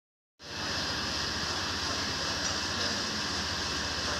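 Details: After a brief silence, a steady broadband hiss sets in with a constant mechanical hum and no animal voices.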